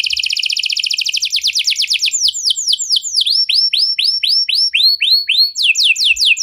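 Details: Canary singing in the 'cengkok mewah' (luxury) song style, meant to set other canaries singing: fast buzzy trill of rapid notes, then a run of looping downward-curving whistles repeated about three per second, with light low thumps.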